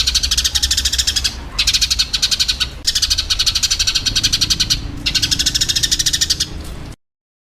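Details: Eurasian tree sparrow 'tarung' fighting chatter for songbird training: three bursts of quick, evenly spaced high chirps, each run one to two seconds long with short gaps, then silence at the end; faint low hum throughout.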